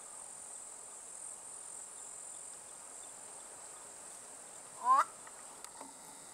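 Black-bellied Korhaan: a single quick, rising, squeaky note followed a moment later by a soft pop, over a steady high chirring of insects.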